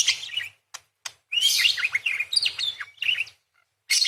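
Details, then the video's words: Parakeet chattering in a fast, scratchy warble of high chirps, buzzy rasps and short clicks, broken by brief pauses, used as tutoring material for songbirds. "PARKIT GACOR !! full materi nembak panjang beset crecet roll basic dasar murai // parakeet bird call"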